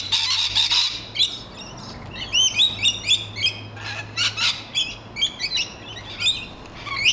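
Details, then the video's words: Rainbow lorikeets feeding on a large grevillea in a back garden, screeching noisily: a loud harsh shriek burst, then many short hooked chirps and rasps from several birds overlapping, with a faint low hum underneath. "Rainbow Lorikeets In Grevilleas"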